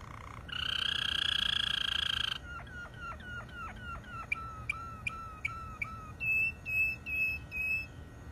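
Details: Malinois canary in song: a loud nasal, buzzy held phrase, then a string of sharp dropping whistled notes repeated over two times a second, finishing with higher, pure drawn-out whistles.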